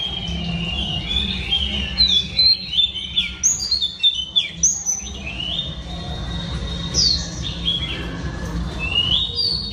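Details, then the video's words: Female oriental magpie-robin singing to stir males: a varied string of whistled notes, short sharp upslurs and longer sliding whistles, some high squeaky accents, over a constant low background rumble. "Than mái hót kích trống P3 Oriental Magpie Robin Female"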